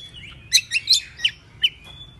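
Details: Oriental magpie-robin, agitated and excited, spreading its tail: a short burst of five sharp high chirps over a thin sustained whistle, about one note every quarter second.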